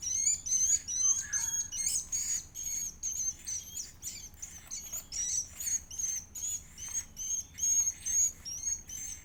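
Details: A fed edible-nest swiftlet chick keeps up an insistent series of shrill, high, slightly wavering squeals, pulsing in quick regular bursts over nine seconds, with some rougher chatter early on.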